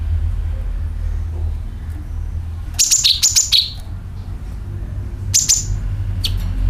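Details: Sooty-headed bulbul calls used as a lure to attract birds: two clusters of sharp, high chirps, each sliding down into a short whistle, then one brief chirp pair, over a steady low hum.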